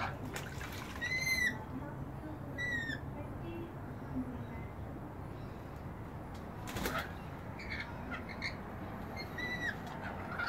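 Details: Rainbow lorikeets taking a bath on a balcony: sparse short tonal calls, each with a slight downward inflection, are separated by quiet stretches. A loud burst of splashing or wing flapping comes near the middle.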